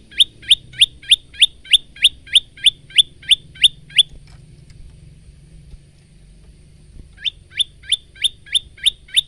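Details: Bar-winged prinia male in full song, recorded on a phone as a training model for cage birds: a fast run of bright, high, clipped notes about three per second, a pause of several seconds, then the same rapid series resumes.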